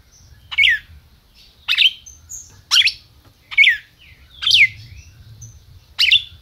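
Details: Captive red-crested cardinal from a licensed breeder in Brazil, calling and singing: six loud, sharp chirps, each a bright note sweeping downward, repeated roughly once a second with short silent gaps and faint low background rumble.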